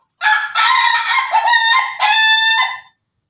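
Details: Pelung chicken rooster, Bangkok type, giving a loud, long crow in three joined segments, harmonic and wavering, each section held steady before a break.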